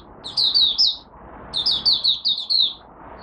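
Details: Oriental white-eye from Malaysia, a hobby songbird, singing its first warm-up of the day: two short phrases of sweet, high, quickly repeated downslurred notes separated by a brief pause.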